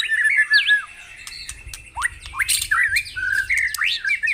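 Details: White-rumped shama song played to spur caged birds into song in the morning: loud rising and falling whistles mixed with harsh squawky upslurs and sharp clicks, in irregular bursts.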